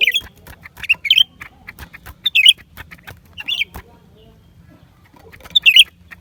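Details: Lesser green leafbird singing in January 2023: short, bright whistled phrases, each a quick twisting flourish, repeated with pauses of about one to two seconds, over a soft low hum.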